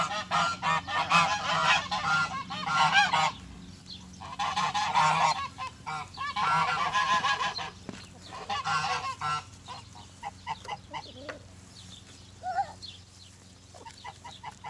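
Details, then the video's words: Farmyard geese living with chickens, springtime: long bouts of raucous, overlapping honking that swell and fade several times, later thinning to short, separate honks and quieter clucking notes over a low background hum. "Goose Sounds"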